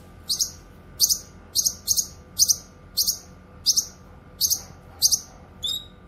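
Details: Cucak kinoy song for tutoring birds: a series of sharp high chirps, single and doubled, about every half second, ending in a thin wavering whistle; faint background hum.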